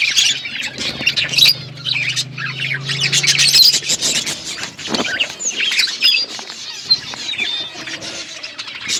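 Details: Budgies in an outdoor aviary keep up a busy, high-pitched chirping and squawking chorus with thin whistled notes. A low steady hum runs underneath during the first few seconds.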